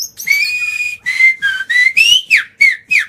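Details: Agitated white-rumped shama singing continuously to provoke rivals: a sustained whistle, then short whistled phrases at varying pitches, closing with three quick sharply falling notes.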